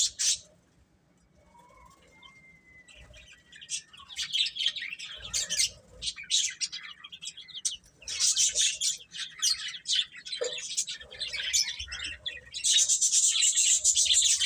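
Baby chicks peep constantly in high, thin chirps that overlap one another.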